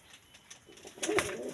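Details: A Jalal-breed domestic pigeon, whose call the owner praises as very beautiful, gives a single brief, low, throaty coo.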